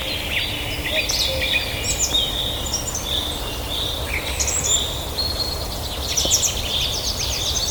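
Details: Scattered high chirps and short twittering phrases from small birds, some notes bunched in quick runs, others spaced out, against continuous broadband outdoor hiss and low rumble.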